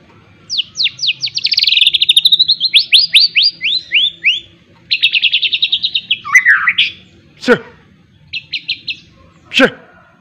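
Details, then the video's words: White-rumped shama in training for a miwah-style song filling. It delivers fast, repeated, high, sweeping notes in rolling series, then a twisting warble and a few loud sharp cracks. Faint music plays in the background. "melatih mintal burung muray batu isian miwah pul gacor"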